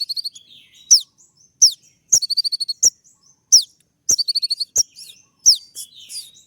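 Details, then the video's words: Kolibri ninja, the brown-throated sunbird, delivering sharp 'tembak' song: loud high whistles slurring downward, alternating with short chattering bursts of several quick notes. "putar sekali koninmu pasti nyaut masteran suara tembak yang buat konin emosi"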